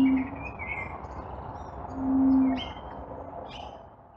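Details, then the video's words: Common bronzewing in Blackiston, South Australia, on 24 November 2020 gives deep, mournful 'oom' notes about every one and a half seconds, with thin chirps of other small birds above; a low-pass-filtered cell phone recording. "Common Bronzewing"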